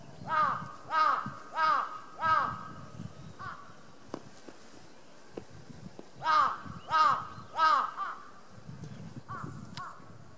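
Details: Crow at Kushiro City Zoo pestering a sleeping Ezo brown bear, which wakes from its nap, 6 March 2016: loud harsh caws in a run of four, then a run of three after a pause, and fainter caws near the end.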